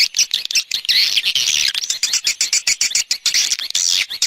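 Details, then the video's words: Swiftlets in an external sound recording, giving rapid, pulsing high twitters, many short notes in quick succession with a denser, louder stretch in the middle. "Free Swiftlet External Sounds"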